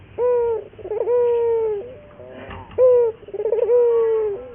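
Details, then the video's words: Local puter dove cooing as a lure to coax caged doves into singing: a quick bright note, a bubbling trill, then a long smooth coo falling away, repeated twice. "pancingan burung puter gacor, melatih burung puter lokal agar cepat gacor"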